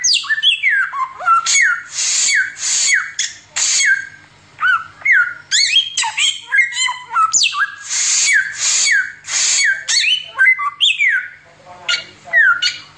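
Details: Oriental magpie-robin giving a long 'tembakan samyong' performance for tutoring: rapid falling whistles, stepped and looping slurs, and recurring loud harsh hissing bursts across thirteen seconds.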